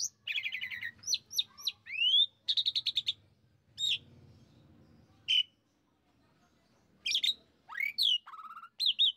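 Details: Jalak suren lure song meant to make a kept Asian pied starling sing wildly: buzzy chatter, repeated sharp whistles and rising slurs in bursts, a quiet gap with faint low noise, then more rising whistles.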